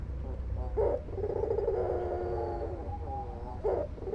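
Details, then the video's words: White albino dove, described as a frequent caller, giving a short accented note followed by a long, low, rolling purred coo, then another accented note near the end, over steady low hum. "SUARA PUTER PUTIH ALBINO GACOR_THE VOICE OF THE PUTER ALBINO GACOR"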